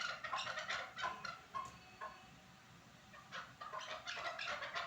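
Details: Norak chukar partridge uttering quick hoarse chuk-chuk clucks in two bursts separated by a quieter gap, roughly three notes per second, slightly ringing tone on some notes.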